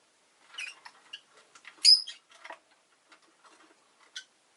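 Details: Rapid, twittering chatter from a pet rosy-faced lovebird, a cluster of quick squeaky notes around one loud, shrill chirp, then a final short call.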